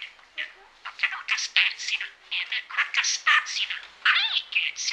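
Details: A male pet budgerigar chatters rapidly in a steady run of high, scratchy warbles and clicks, with talking, mimicked speech phrases woven through.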